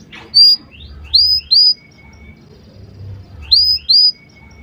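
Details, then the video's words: Canary song meant as a lure for young canaries learning sounds: sparse, short, bright downslurred whistles in small clusters separated by quiet gaps, with a faint thin steady note and soft background hum. "kenari gacor panjang Cuit Cuit EMOSI, Pancingan Kenari Paud Belajar Bunyi"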